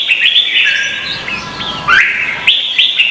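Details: Red-whiskered bulbul duelling song recorded in Vietnam as a lure to trigger singing: a lively stream of looping whistled notes, a sharp upward slur midway, then quick bright chirped phrases.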